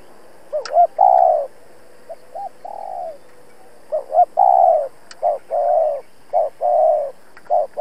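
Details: Spotted dove acting as a trapping decoy, cooing hard to provoke wild rivals: stuttering double notes leading into long hollow coos, then a rapid string of short low coos, a few faint clicks.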